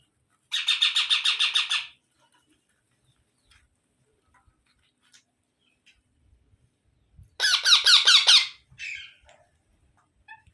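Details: Baby parrots calling in two bursts of fast, harsh, rasping squawks with a long quiet stretch between them and faint taps.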